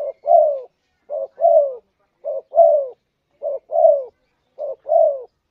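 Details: Spotted dove (tekukur, derkuku) lure call used to attract birds: a short low coo followed by a longer, falling, throaty coo, the pair repeated five times about every 1.2 seconds, clean with no other sounds.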